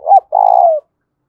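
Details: A single loud fighting coo from a spotted dove: a brief rising note, then a long, steady hollow coo that slowly falls at the end, ringing clearly.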